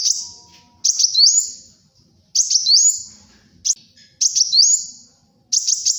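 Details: Sunbird (kolibri wulung) in lively song for luring and tutoring: a phrase of a rough burst and a rising whistled slide, repeated about every one and a half seconds, with a brief sharp chip between.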